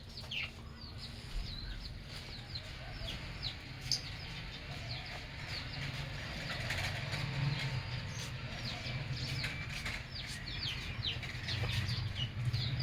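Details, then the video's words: Pet lovebirds in an aviary, singing and chirping: rapid, continuous high squeaks and chirps from several birds, with a low rumbling background noise throughout. "Lovebird Singing & Chirping Sounds"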